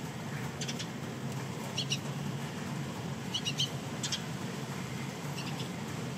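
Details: Eurasian tree sparrows, fledglings with adults, soaked by heavy rain during Golden Week and fussing while visiting a balcony to feed; short, high chirps come in brief clustered bursts, several across six seconds, over a steady hiss of rain.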